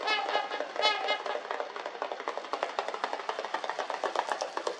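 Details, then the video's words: Trumpeter swans at Volo Bog, northern Illinois, give a few nasal, horn-like trumpeting honks, then a steady rhythmic slapping, about four beats a second, as they run on the water with feet and wings to take off. "Trumpeter Swans Trumpeting"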